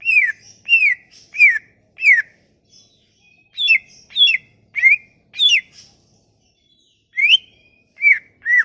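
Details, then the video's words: Sumatran leafbird song played as a lure to get silent leafbirds singing: quick series of whistled, downward-slurred notes in bursts, some notes rising sharply, with a short pause midway before the phrases resume. "Kicauan ini MAMPU memikat cucak ijo MACET bunyi"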